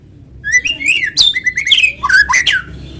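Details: White-rumped shama singing actively, a natural recording used as a lure to get other shamas singing: a varied run of loud, clear whistled phrases, slurred and rising notes mixed with sharp chirps over about two and a half seconds.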